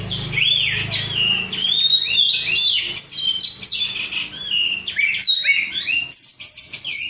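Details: Untrained 'rudal korea' oriental magpie-robin (kacer), a caged songbird in full gacor song: continuous run of high whistled slurs, rising and falling notes and scratchy trills, a low hum faintly underneath at first.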